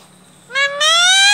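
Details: Pet Indian ringneck parakeet indoors with its owner, who talks to it in Hindi; a short rising note breaks off, then a loud, rich, nasal tone rises steadily and holds for about half a second.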